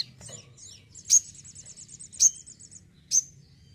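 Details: A home-kept sogon in active song gives a soft high twittering trill broken by three loud sharp chip notes roughly a second apart.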